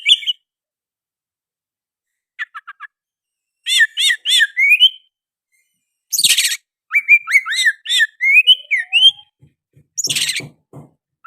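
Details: Oriental magpie-robin song with sooty-headed bulbul phrases: scattered sharp notes, a rapid series of rising whistles, harsh chattering bursts and looping slurred whistles, with quiet gaps between phrases.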